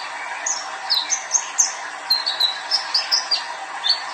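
A young male Olive-backed Sunbird sings a lively run of thin, high, sharp chips and short slurred notes, about three a second, over a steady background hiss.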